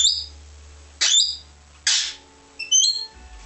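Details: Australian king parrot (Alisterus scapularis) gives a few high, thin whistled notes mixed with two harsh, rasping screeches, spaced about a second apart, over a faint low hum.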